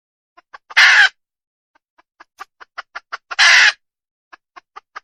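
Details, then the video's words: Wild junglefowl hen: a harsh drawn-out squawk, then a rising sequence of short clucks building into a second squawk, followed by a few scattered clucks. "Suab poj qaib qus tsauj dib tuaj zoo heev"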